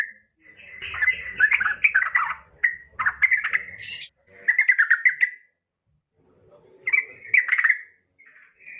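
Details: Female Yellow-vented bulbul calling to males, giving bubbly, chattering phrases in bursts of one to two seconds separated by short pauses, with a faint low rumble.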